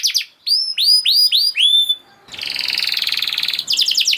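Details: Canary song meant to get a silent canary singing again: a few rising whistled sweeps, a short pause, then a long buzzy rattling trill and quick closing chips.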